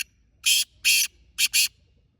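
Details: Black francolin giving its harsh call outdoors: two drawn-out scratchy rasps followed by a rapid pair of shorter grating notes, the whole phrase lasting just over a second, with a faint low rumble beneath.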